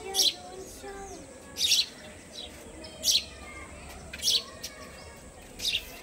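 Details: Sparrow inside a house, giving short, sharp, high chirps, each a brief bright burst, five of them spaced roughly one and a half seconds apart over a quiet, faintly humming indoor background.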